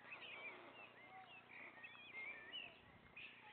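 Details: White stork chicks, the three remaining young on the nest being fed by their father, give a busy, overlapping begging chorus of thin, high squeaks and mewing chirps that rise and fall without pause.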